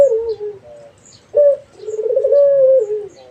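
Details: Persistently calling Barbary dove: the tail of one rolling coo, a pause, then a sharp clipped note leading into another long, pulsing coo that falls away at the end; faint distant bird chirps.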